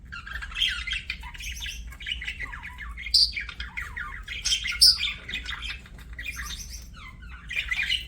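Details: Budgerigar chatter: warbling squeaks and sharp clicks in uneven bursts, a few louder shrill notes, quiet low hum beneath.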